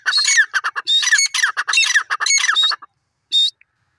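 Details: Francolin calling, described as a desi teetar; a fast burst of harsh, squawking notes with sharp whistled overtones, packed tightly for nearly three seconds, then one short squawk after a pause.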